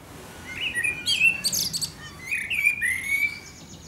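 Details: A Eurasian blackbird sings at sunset in Akersloot, Netherlands, on 30 March 2018: two mellow, fluted warbling phrases, each ending in a thin, squeaky high twitter, over a quiet background.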